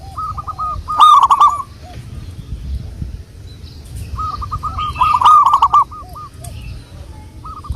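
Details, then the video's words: Local wild zebra dove, recorded as a lure. Two loud, coarse bursts of rapid coo notes about four seconds apart, each set within softer rolling trilled phrases, with quiet spaced coos in between. "Burung Perkutut Lokal | pancingan burung perkutut Lokal alam"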